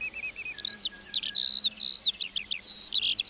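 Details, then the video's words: Singing lark in a meadow, a short burst of high twittering with a few sustained whistled notes and quick chirps mixed in. "Singing lark in the meadow"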